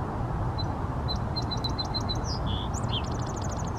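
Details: Song sparrow singing in Seattle: a series of short, sharp, evenly spaced high notes, then a buzzy note and quick slurred notes, ending in a fast dry trill, over a steady low rumble of background noise.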